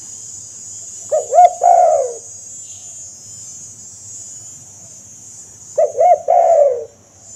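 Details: Spotted dove call used to lure wild doves: two phrases about five seconds apart, each a double note and a long downward coo. A steady high hiss runs throughout.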